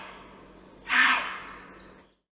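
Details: A White Stork from Central Russia gives one breathy, rasping hiss of about half a second that swells quickly and trails off, over a faint steady background hum.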